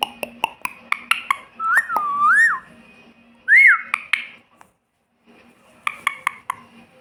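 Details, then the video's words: Parrot imitating a cat's meow: quick dry clicks, then wavering whistled tones and a rising-falling meow-like slide, followed by more clicks after a short pause. "See How a Parrot Makes The Sound Of Miyaauuu / म्याउँ म्याऊं कैसे बोले"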